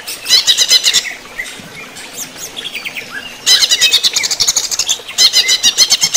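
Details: Caged greater green leafbird in running-water therapy, giving bursts of rapid high, buzzy chirping. The bursts are separated by a quieter stretch of softer, scattered twittering notes.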